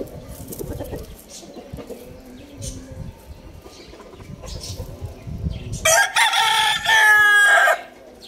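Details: A morning rooster lets out one loud, ragged crow near the end, a strained, rising then falling call lasting about two seconds, after quieter low clucking and background noise.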